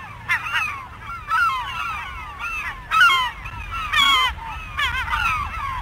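Gulls giving loud, harsh, wavering squeals and yelps in bursts about once a second, several birds overlapping, over low background rumble.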